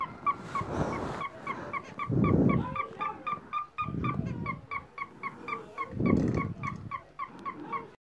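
A cockatiel repeats short, clipped chirping whistles about four times a second, steady and mid-pitched, over several low rumbling bursts of background noise.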